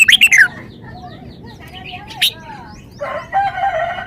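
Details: Caged red-whiskered bulbul showing off its song repertoire: a loud burst of warbled, descending notes opens, then sparse whistled phrases and a short rich chattering phrase near the end, with other birds faint behind.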